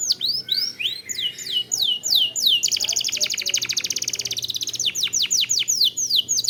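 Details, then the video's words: Lure recording of a canary singing long, tight rolls to stir birds into song: repeated downward-sweeping whistles, then a loud, very fast, even rattling trill of about two seconds, then more quick slurred sweeps. "Pancingan Kenari / Masteran Kenari / Dijamin Langsung Bunyi"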